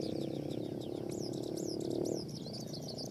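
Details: Wild-caught fighting skylark from Phú Yên, Vietnam, pouring out rapid, varied high twittering and slurred whistled notes, with a steady low hum throughout and a man's voice nearby.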